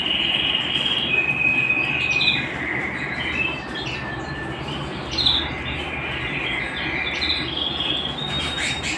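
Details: Canary singing at home, long level whistled tones that drop in steps, punctuated by sharp high bursts at about 2.3, 5.2 and 7.3 seconds, over steady background noise.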